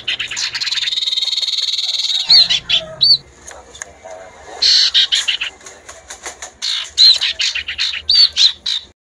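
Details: Common iora male singing back and forth with a chattering female: a long buzzy chatter, then many short harsh bursts and brief high whistled notes.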